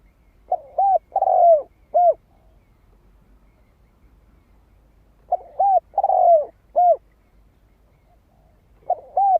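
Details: Spotted dove cooing, used as a decoy call to lure wild birds: a mellow, low coo phrase of two short notes, a longer drawn-out falling coo and a final short note, repeated about every four seconds in near silence.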